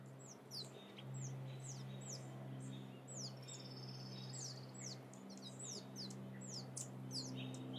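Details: Wild turkey chicks from California's Sierra foothills give a run of sharp falling peeps, roughly two or three per second, over a constant low electrical-sounding hum.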